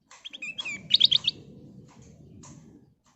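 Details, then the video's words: Sooty-headed bulbul (kutilang emas) singing vigorously, played as a lure to make other birds sing: a quick jumble of chirps and a fast run of bright, sharply repeated notes, then a few thin calls over a low steady rumble. "Kicau Burung Kutilang Emas Gacor full isian, Pancingan Kutilang Emas"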